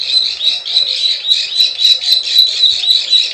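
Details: Lure call of a plain prinia, locally prenjak sawah, in the klik klik ciwah style: a dense chain of high, buzzy pulses repeating about four times a second, overlaid with faint sharp clicks, steady throughout.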